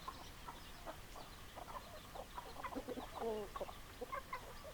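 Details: Chickens clucking: a run of brief, throaty clucks from several birds, with a louder drawn-out, wavering call near the middle, then more clucks over a low hum.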